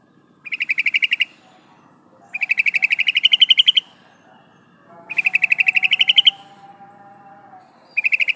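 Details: Female yellow-vented bulbul calling the male: rapid, dry chattering notes in bursts of about one second, repeated roughly every two seconds, with a faint low hum beneath.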